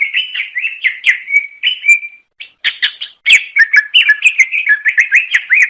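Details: Cucak ijo, the greater green leafbird of Indonesia, sings melodiously to attract other cucak ijo: repeated rolling whistled notes, a sustained tone, a short pause, then a brisk varied run of chirps and slurs.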